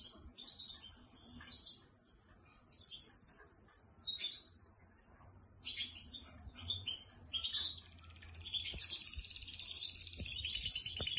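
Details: Home-trained canary singing on its keeper's hand; varied song of high chirps, a sweeping whistle, dense rattling trills and a long buzzy roll, with a brief silent pause near the start.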